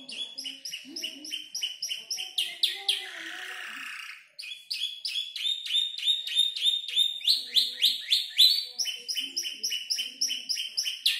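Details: Five-month-old canary building its song from tutor-bird sounds including prinia and 'klik-klik' calls; quick repeated high chirps, interrupted briefly by a harsh noisy burst, then resuming with varied phrases.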